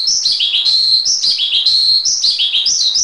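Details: Javan pied starling singing a training recording for cage birds: loud, clear whistled phrases that slide downward from high to lower pitch, repeated roughly once a second over a faint background chatter.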